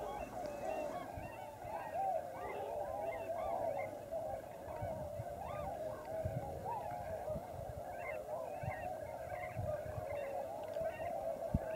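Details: Large numbers of wintering Tundra Swans at Klamath Basin refuges on the Oregon/California border, calling together: a steady massed din of soft honks and yodelling hoots, with some individual rising notes standing out above the crowd.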